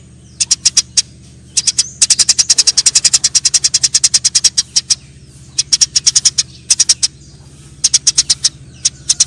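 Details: Eurasian tree sparrows during a fight, chattering almost without pause: dense, rapid strings of harsh high chirps, broken into uneven bursts by brief gaps.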